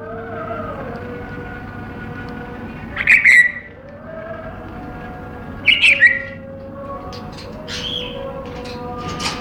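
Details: African grey kept caged indoors gives two separate bursts of bright, stuttering chirps about three seconds apart, followed by faint scattered ticks, with a continuous low hum underneath.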